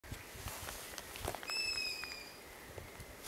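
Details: A long-eared owl chick begging for food, with begging siblings heard around, gives one drawn-out, high squeaky whistle like a creaking gate, lasting almost a second, over faint clicks and rustling; long-eared owl.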